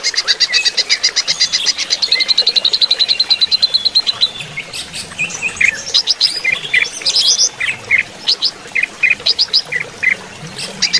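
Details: A greater green leafbird, played with flowing-water sound as therapy, sings a fast, buzzy trill of high repeated notes for about four seconds, then breaks into varied, sharp whistled phrases.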